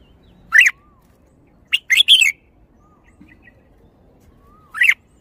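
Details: Red-whiskered bulbul, a kept songbird, giving a lone sharp note, a fast three-note warble, and another lone note about three seconds later; faint thin whistles of another bird sound softly in the background.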